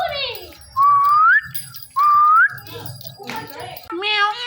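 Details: Male and female pet Indian ringneck parrot pair calling in the morning while hanging on a door: two clear whistles gliding upward, mixed with harsh, noisy squawks and chatter, indoors.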